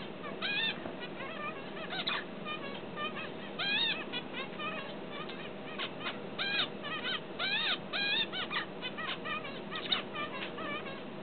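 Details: A tame pet finch learning to sing practises in rambling bursts of short, bright, harmonic chirps and down-slurred notes, repeated irregularly over a steady low background hum.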